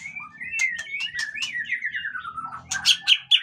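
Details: Caged white-rumped shama, used as a lure to set other shamas singing; a flowing run of varied whistles sliding downward, ending in sharp, scratchy high notes, with faint low hum beneath.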